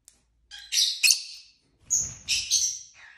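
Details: Pet lovebirds chirping indoors: two bursts of loud, grating, high chirps, each made of two or three rapid screechy notes, the last softening into a lower squeaky call.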